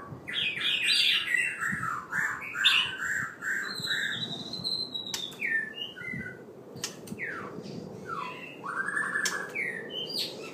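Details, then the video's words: White-rumped shama, halfway through his moult, sings rich, varied whistled phrases with rising and falling notes and quick chattering bursts, over a low room hum. "white rumped shama"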